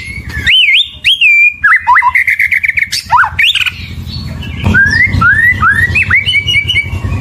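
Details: White-rumped shama (murai batu) sings bold looping whistles, then a rattling stutter of quick repeated notes, followed by a string of rising slurred whistles over a low, rumbling background.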